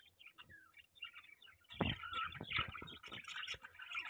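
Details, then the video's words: Pet budgerigars during mating, giving a quiet chattering warble of quick buzzy and squeaky notes, with soft rustling thumps in a small room. "Budgie Mating Call"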